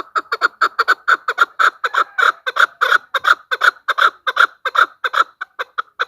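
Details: Loud, unbroken chain of harsh clucking notes from a female chukar, used as a decoy sound for hunters, repeating roughly two to three times per second throughout.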